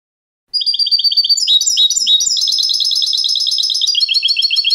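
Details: Continuous vigorous goldfinch song, crisp repeated notes building into a dense, fast, jangling twitter that runs to the end.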